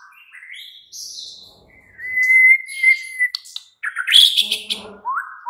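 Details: White-rumped shama song played at night as a lure to make a caged bird answer and sing: varied whistled phrases, including a long steady whistle, then a burst of sharp high notes and a rising whistle.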